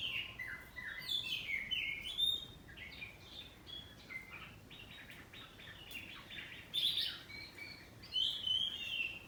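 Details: Oriental magpie-robin of the kacer poci form, kept at home, in quieter ngeplong singing with saut-sautan answering: varied whistles, slurred notes and scratchy fragments in rapid succession, louder phrases near the start and end, faint background hiss.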